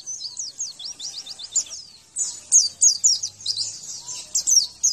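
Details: Javan white-eye song recorded as master material to prompt answering: a rapid series of thin, high descending chirps, then loud, sharp, slurred notes repeated about three times per second with brief pauses.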